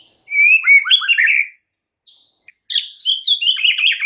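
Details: White-rumped shama giving a full 'isian' fill song, used to coax silent shamas into singing: rich, varied whistled phrases sliding up and down, a short quiet pause, then a burst of bright, rapidly changing notes.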